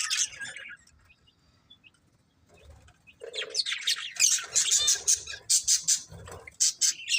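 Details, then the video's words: Budgerigars: near silence for about three seconds, then a burst of busy, scratchy high chirps and squawky notes in rapid pulses, several each second, to the end. "Beautiful Budgies Chirping Sounds"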